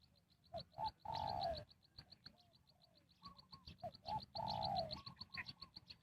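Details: Spotted dove calling wild birds during trapping: twice gives short notes leading into a long, slowly falling coo. Rapid, regular high chirping continues throughout.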